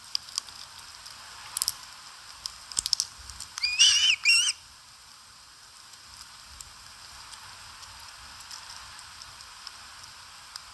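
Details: Osprey at a Satakunta nest in Finland while eating, on a live nest camera, 4 August 2022: a quick pair of shrill, bending whistles mid-recording, surrounded by scattered ticks and rustling.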